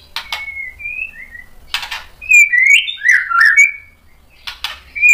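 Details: White-rumped shama song used as a lure to provoke other shamas into answering: clear sliding whistles at mid pitch broken by short harsh, rasping bursts at the start, near the middle and at the end.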